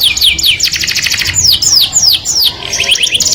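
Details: Melodious canary song, described as drawing the opposite sex: quick high trills alternating with sweeping arched whistles that rise and fall, delivered in a continuous stream.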